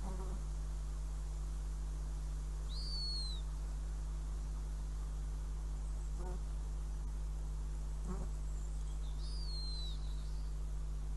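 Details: Northern goshawk at the nest in Riga on 5 June 2016, with prey: two high, downslurred whistled calls about six seconds apart, with soft knocks and a steady low hum.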